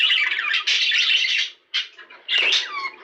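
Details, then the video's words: Budgerigar sounds played to stimulate mating: a long buzzy squawking burst, a short pause, a brief chirp, then another raspy burst ending in a falling whistled note. "بهذا الصوت ستتزاوج طيور البادجي غصبا عنها"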